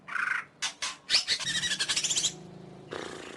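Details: A greater green leafbird sings a dense rattling phrase of about a dozen rapid scratchy notes with high whistled accents, opened by a nasal buzz and ending in a long harsh rasp.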